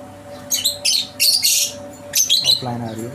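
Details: Lovebirds of mutation colours such as creamino, opaline and parblue at a breeding farm setup in Karachi, giving shrill, high chirps in rapid bursts of several notes, with a steady hum beneath and a man's voice speaking at the end.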